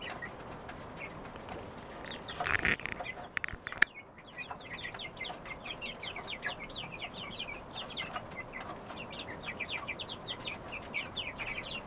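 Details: One-month-old chicks eating dinner alongside their father rooster: a steady stream of short, high, slightly rising peeps, many per second, with a brief clattering burst and low background noise early on.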